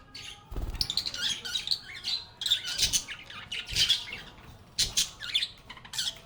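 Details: Lovebirds (Agapornis) playing and chatting with one another: a busy run of shrill chirps, squeaks and raspy squawks from several birds, broken by a few dull knocks.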